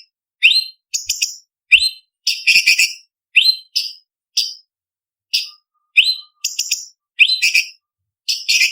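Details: Blue-winged leafbird, cucak cungkok, singing a training 'isian' song for bird competitions: mostly short, clear rising whistles and stuttered high chips spaced through the clip, with only brief rattled bursts.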